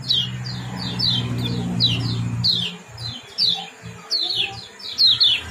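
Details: Kecial kuning, the Common Iora, in 'ciak jos' chirping meant to bring birds into breeding condition: evenly spaced downslurred high chirps, later in quick pairs, over a low background hum early on.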